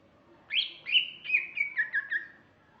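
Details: Female greater green leafbird giving a short phrase of about seven clear chirping whistles that step gradually downward in pitch and come faster toward the end, after half a second of quiet.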